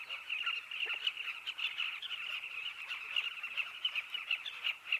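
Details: Many southern carmine bee-eaters calling together at their burrow colony in a dry riverbank during the breeding season, a steady wall of overlapping chirps, busy and unbroken throughout.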